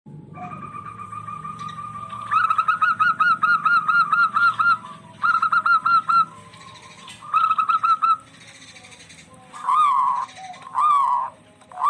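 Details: Zebra doves, local birds in full voice, calling back and forth; used as a lure to rouse stressed or quiet doves. Bursts of rapid rolling cooing notes around mid pitch, separated by short pauses, with a faint background hum.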